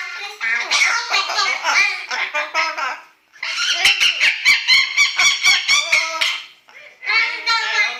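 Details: A yellow-naped amazon practises singing the Chinese pop song "Little Apple" in a human-like voice, with rapid, reedy syllables in bursts that pause briefly and then resume. Household dogs are said to be protesting.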